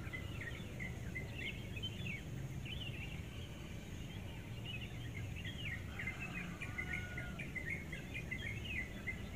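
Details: Bird visiting at about 5:30 in the morning before daylight, singing briefly: bright, jumbled chirps and short whistled twitters in loose bursts, some rising notes, with a constant low background hum.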